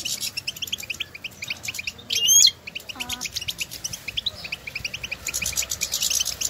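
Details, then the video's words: European goldfinches calling to each other in the wild, used to stimulate goldfinch song; continuous high twittering chorus, interrupted by a loud, harsh burst and a short lower rasping call midway. "افضل بتبتة لتحفيز طائر الحسون"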